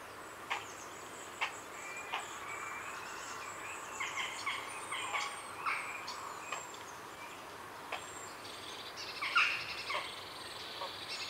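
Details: Grey herons at a busy heronry, recorded close up in the afternoon, give harsh, clattering, chattering calls in irregular sharp bursts, with jackdaws and a blue tit calling in the background.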